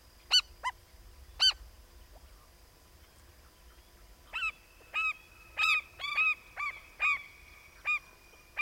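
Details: African skimmer chick, the first of the year to hatch, calling with two spaced nasal yelps, then a lively run of about nine honking calls, some overlapping, against a faint low rumble.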